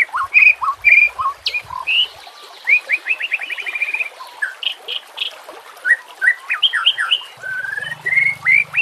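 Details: White-rumped shama song for lure and training use, over nature sounds and water: clear whistles, a rapid run of repeated notes, scattered slurred phrases and a low hum near the end.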